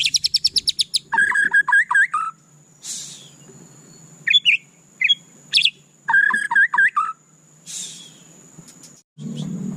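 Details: White-rumped shama song: a rapid burst of short ticking notes, then rich whistled phrases dropping and rising, brief pauses between bursts, a few hissy noise bursts, and a steady faint high whine in the background.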